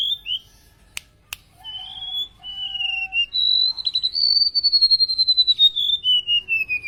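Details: Golden-bellied gerygone, Indonesia, singing energetically: two sharp clicks, then sustained pure whistles on level pitches, followed by a long, slightly rising then falling trilled whistle with rapid pulsing.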